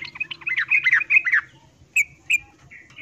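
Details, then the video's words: Female yellow-vented bulbul calling for a male while in breeding condition: a fast, jumbled cluster of chirps and slurred notes, followed by two short sharp calls and a faint trailing note over a low hum. "Trucuk Betina memanggil jantan MIYIK Birahi Tarung"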